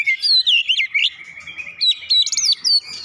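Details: Oriental magpie-robin (kacer) with Java sparrow (gelatik batu) phrases in its song: brisk sequence of sharp whistled and chirping notes, about four per second, over a sustained lower trill.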